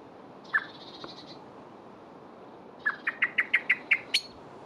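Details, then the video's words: A male blackbird fluttering its wings as it calls: one sharp chip with a thin high hiss, a pause, then an accelerating run of about eight loud, clipped chips ending in a higher squeak. "Blackbird - if I flutter my wings does it make my chirp louder?"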